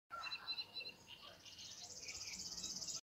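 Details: River warbler in Poland, 2018, giving its dry, insect-like song, a high mechanical buzzing pulsed about ten times a second. Other birds chirp sharply before it starts.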